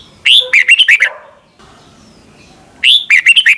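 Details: Red-whiskered bulbul, a Thai cage bird, singing the doubled song played to help young birds copy it. A loud warbled phrase of quick whistled notes, a pause with low background noise, then a second phrase begins.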